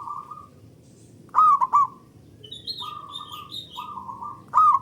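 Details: Loud local zebra dove song used to stimulate other doves, with birds calling back and forth: two strong stuttering three-note coo phrases, fainter doves cooing steadily in between, and a few thin higher notes.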